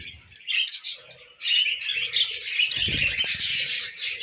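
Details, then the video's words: Group of tame budgerigars munching millet: quiet start, then loud continuous twittering and high scratchy chirps, with low rustling and pecking noises. "Funny Moments of Our Tamed Budgies Eating Millet"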